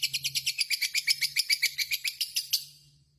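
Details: Caged pet lovebird in a short 'ngekek' chattering burst: about fifteen quick, harsh, buzzy notes at an even pace for two and a half seconds before fading, with a low hum beneath.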